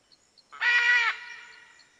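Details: Single drawn-out, raspy screech of a red-and-green macaw lasting about half a second, with a soft echo tail and faint chirps in the background.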